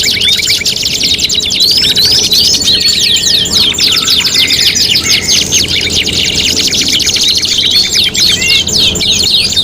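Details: Tutoring track of canary singing for contest birds, five song materials mixed together: rapid rattling trills run continuously, with buzzy repeated notes and brief whistled sweeps layered over a steady low hum.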